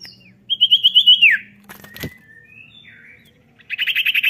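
Common Iora giving a fast run of about eight bright, high whistled notes ending in a falling slur, then another quick burst; a low hum and a click sit beneath.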